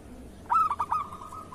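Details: Local zebra dove song for training other doves: one brief phrase of four quick coo notes, sharp onset followed by a fading even trill.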